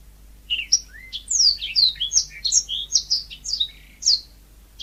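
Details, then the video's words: Yellow-fronted canary delivering a quick string of sharp, high whistled notes, many slurring downward, about two to three per second in an uneven, chattering rhythm. "Kicau burung mozambik gacor alami"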